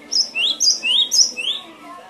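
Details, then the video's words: Training recording of cinereous tit (gelatik batu) song for lazy singers: four quick repeated phrases, each a sharp high note followed by an upward-sweeping whistle, then a fainter tail. "Suara masteran burung gelatik batu"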